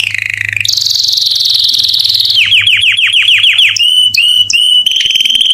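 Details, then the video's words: Canary song meant to attract females for mating, made of a bright sustained trill followed by a series of rapid down-slurred whistled notes and short separated chirps near the end. "The strongest canary twitter to hear and irritate females to mate"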